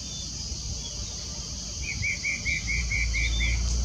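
A Spot-breasted Parrotbill sings a quick, even run of about eight clear, slurred notes, over a steady high insect hiss and low background rumble.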